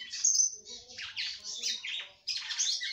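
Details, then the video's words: Female red-cowled cardinal sings to excite her male, giving rapid high slurred and buzzy notes run together, a brief pause, then another loud chattering burst. "FÊMEA DE GALO DE CAMPINA CANTANDO MUITO PRA FOGUEAR SEU CAMPINA"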